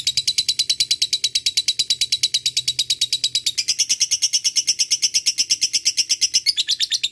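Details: Lovebird giving a long ngekek chatter, used as a lure for a rival: a continuous, very fast, shrill rattling trill that shifts slightly higher midway, with a soft low hum behind it.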